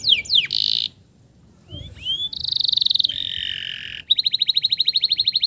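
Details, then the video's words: Male canary song meant to coax stressed canaries into singing: varied high sweeps, buzzy bursts and short pauses, ending in a quick regular trill of repeated notes. "SUARA PANCINGAN KENARI JANTAN GACOR"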